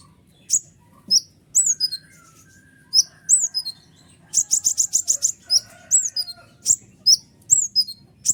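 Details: Kolibri ninja sunbird in full noisy song, meant to make other birds such as prinias agitated. Rapid high squeaky notes sweeping downward, with a fast stuttering run of clipped chips in the middle.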